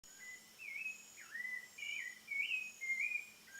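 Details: Thrush singing at sunset in the countryside: clear whistled phrases that slide up and down, each about half a second long and separated by short pauses, over a steady high insect hiss.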